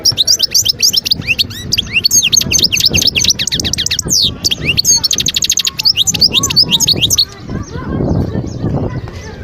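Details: Sustained wild European goldfinch song recorded at Guerbaz, Skikda, Algeria, 2022: a dense stream of tinkling twitters, rapid trills and upswept whistles lasting about seven seconds before background rumble takes over.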